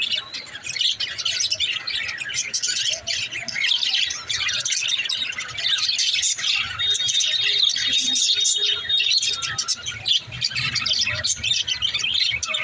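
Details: Mother budgerigar in her nest pot, with dense, continuous high-pitched chirping and chattering that stays busy throughout.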